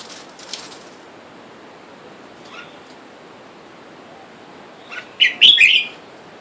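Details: Red-whiskered bulbul pair kept caged, male and female taking turns chasing and fighting, with wild birds calling for mates outside; faint notes early, then a loud rapid cluster of bright, slurred chirps near the end.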